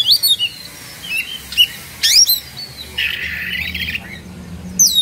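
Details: Oriental magpie-robin in agitated 'emosi' display, tail spread, Indonesia. A few quick high whistles and slurs, then a sustained scratchy buzzing rattle lasting about a second, with a final sweeping whistle.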